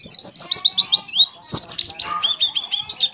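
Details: Oriental white-eye delivering speedy 'roll tembak' song filled with prinia-like notes: two bursts of quick, high, bouncing downslurred whistles, about four per second, with brief twittering between.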